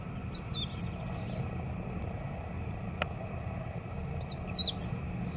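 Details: Great Pampa-Finch (Embernagra platensis) singing against the wind at Laguna del Diario, Uruguay, 15 July 2017: two brief, high, squeaky song phrases about four seconds apart over a steady rumble of wind.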